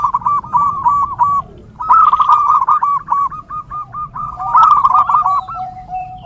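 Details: Zebra dove (perkutut) song for training and luring: runs of rolling coos followed by slower, lower evenly spaced notes, overlapping birds.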